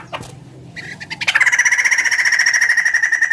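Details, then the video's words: Big bird said to sound like a chicken: a few short clicks and notes, then a sustained, fast, evenly pulsed nasal rattle that continues to the end. "Suara burung gacor paling membagongkan"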